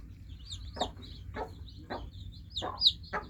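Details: Freshly hatched chicks giving soft, high, descending peeps over a quiet background, along with several short, broad tapping sounds at regular intervals.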